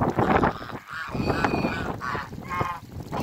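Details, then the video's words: Toulouse and African geese in a backyard calling: brassy, buzzy honks, some drawn out and falling slightly, several birds overlapping amid low rumbling noise. "TOULOUSE GEESE VS AFRICAN GEESE IN THE BACKYARD"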